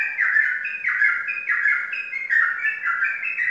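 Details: A Sooty-headed Bulbul (trucukan), a champion contest bird kept in Indonesia, singing a run of bubbly, liquid whistled phrases with quick dipping notes, several each second, over a faint steady hum.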